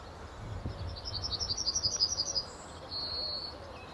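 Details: A male Yellowhammer perched in a tree at RSPB Fowlmere on an early morning in late March 2015 sings a quick run of about a dozen high, thin notes ending in a drawn-out wheeze, over low rumble.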